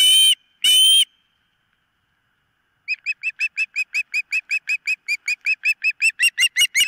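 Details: Osprey at the nest on a live nest camera: two long shrill whistled calls, a pause, then a rapid even run of short piping chirps that grow louder toward the end.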